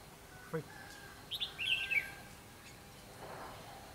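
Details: Red-whiskered bulbul giving fighting song during a bird-trapping session on 24 December 2015: a short burst of bright whistled, slurred notes falling slightly at the end. A sharp knock comes before it, and men speak nearby.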